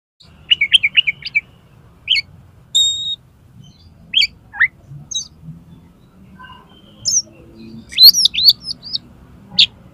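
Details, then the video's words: Oriental magpie-robin pouring out its learned song fill while challenging another magpie-robin to fight, tail spread. Scattered bright phrases: quick trilled notes, short whistles and upslurred chirps, separated by brief pauses. "KACER MUNTAH ISIAN !!! MENANTANG KACER LAIN AGAR MAU TARUNG BUKA EKOR"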